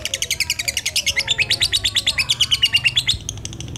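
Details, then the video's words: Lutino lovebird with black eyes in ngekek song, luring and stimulating other lovebirds: a loud, fast chattering trill of sharp high chirps with a brief rising whistle inside, fading near the end. "Senang Lovebird Lutino Mata Hitam - Pancingan lovebird ngekek"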